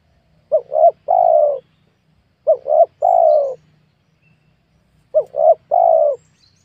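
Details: Spotted dove heard during the luring of wild birds in a young oil palm field. Three phrases of the steady three-note pattern ring out clearly, two quick notes leading into a longer mellow descending coo, with no other sounds.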